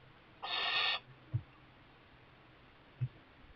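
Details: A young barn owl that has moved into a kestrel nest box, fed mice by its parents, gives one half-second hoarse hissing screech, followed by two soft low thumps.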